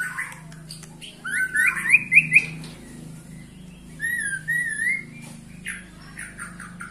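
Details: White-rumped shama, 21 years old, giving a few softer whistled phrases, one a quick rattling trill, another a smooth wavering whistle, over a steady low hum.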